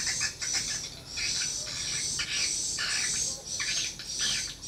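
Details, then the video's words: Swiftlets drawn by a lure call at a mini swiftlet house give thin, very high twitters in irregular flurries, with brief pauses between bursts. "rbw mini walet respon joss"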